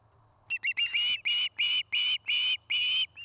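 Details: At a Montana nest near Charlo, an osprey of a nesting pair, nest cam, 09-05-2018: a few quick clipped chirps build into a series of long, loud, slightly upslurred whistles, about three a second, over a faint low hum.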